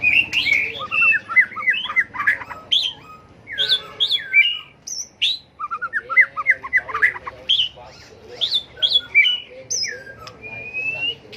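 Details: Tail-flicking white-rumped shama in a fighting song used for training birds: fast, varied runs of whistles and warbled notes, with short pauses and a clear upward whistle near the end, plus scattered clicks.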